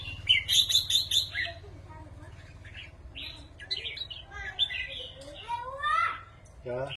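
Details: Caged red-whiskered bulbuls sing rik phrases against each other in Thai competition style; a quick chattering burst opens, followed by varied whistled notes and a long rising slur, with a low hum throughout.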